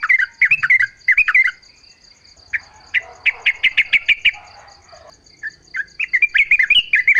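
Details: Yellow-vented bulbul sings in natural surroundings as a lure for other bulbuls to answer: paired bubbly phrases, a quiet spell, then a rapid run of sharp repeated notes and more chatter, over a steady high hum.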